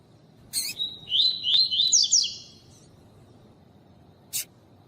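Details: Pure tui-tui song of the Double-collared seedeater, the female calling a lot to excite the male: a short harsh chirp, a fast high twittering phrase of slurred notes, then another lone chirp.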